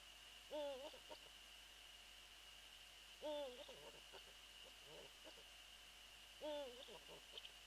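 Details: Eurasian eagle-owl calls recorded beside a nest after midnight, 22 February 2013, with the female off the nest; three strong, rippling calls at roughly three-second intervals, each followed by soft clicks, against steady background hiss.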